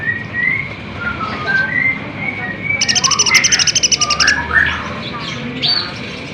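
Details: Olive-backed sunbird song meant to make caged birds respond: slurred mid-pitched whistles, then a rapid, even, high buzzy trill lasting over a second, followed by more twittering notes.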